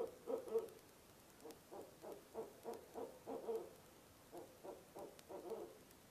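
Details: Barred owl at its nest box at 2am in early November, calling in the monkey style with loud opening hoots, then a chain of rapid, evenly pulsed notes, a pause, and a final short burst.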